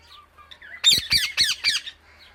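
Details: Loud Indian ringneck parrot calling out to other birds: a few soft chirps, then four harsh, ringing squawks in quick succession, each sharply bent in pitch, before fading to quiet.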